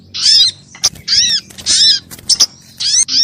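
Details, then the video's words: Crimson sunbird calling as a lure to attract birds and make them sing; separated bursts of high, bright, arched notes come roughly every half second to second, with faint background hum. "SUARA PIKAT BURUNG SOGOK ONTONG RIBUT AMPUH BIKIN SOGON NEMPEL PULUT"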